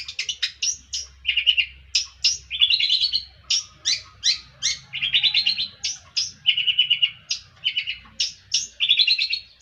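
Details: Varied long-tailed shrike song with sharp high clicks alternating with scratchy buzzy phrases, delivered in a steady rhythm and rarely pausing over nearly ten seconds.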